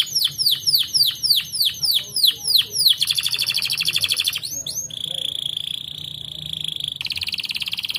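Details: Canary in gacor song: about eight loud, sweeping down-slurred whistles repeated roughly every third of a second, then a buzzy trill, a few quick slurs, and a long, steady, high rattling roll to the end.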